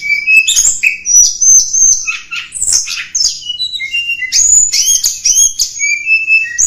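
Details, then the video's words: Mountain tledekan (flowerpecker) song used as a lure for wild birds: dense, high-pitched chattering of thin whistles, sharp chirps and buzzy trills, mostly very high, delivered in quick bursts with brief pauses. "Suara Pikat Tledekan Gunung"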